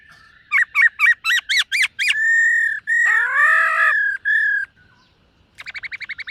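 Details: Morning voice-training song of a black-throated laughingthrush, sung while dancing: a rapid run of seven rising whistled notes, long flat clear whistles, a rich buzzy phrase, then a fast train of short harsher notes at the end.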